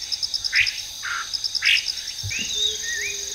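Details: Chinese hwamei (Garrulax canorus) singing in trees in a park in Japan, where it is considered an invasive species: short, varied whistled notes, some swooping and rising, over a steady high chirring of insects.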